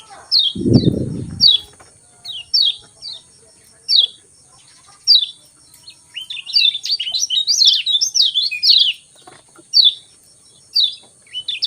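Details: Lemon-bellied white-eye in the morning giving scattered high, downslurred chips roughly once a second. The chips then build into a lively, jumbled twittering phrase before thinning out again. A single low thump is heard near the start.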